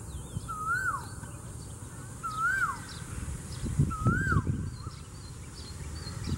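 A cuckoo gives three clear swooping whistles, rising then dropping, about two seconds apart, over a low rumble and faint high twitters of other birds.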